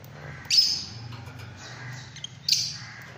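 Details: Fischer's lovebird calling twice, two bright shrill chirps about two seconds apart, each sharp at the start and quickly tapering, with low hum and faint rustles between.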